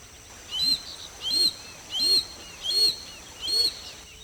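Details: Parabuteo unicinctus, the Harris's hawk, a group-living raptor: a steady series of five rasping, strident notes, each lasting about a quarter second and repeated at an even pace, with little other sound around them.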